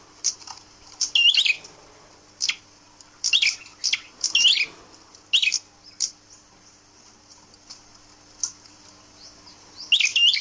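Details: Caged prinia, hung up so it tames fast, calling with high, sharp chirps in irregular bursts separated by short pauses.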